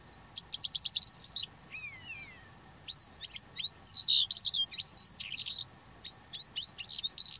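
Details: Calandra lark singing in Greece: fast runs of sharp chirps and trills high in pitch, with a pair of thin descending whistles mid-phrase, then scattered clicks and rich warbled notes in bursts.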